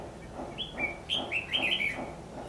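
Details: Red-whiskered bulbul singing at a fight trap on 14 December 2015: a quick chain of clear, bouncing whistled notes that step up and down, with a faint low murmur in the background.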